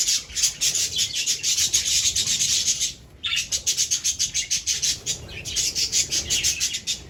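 Budgerigars chatter in a dense, scratchy stream of high rapid chirps with a short pause midway.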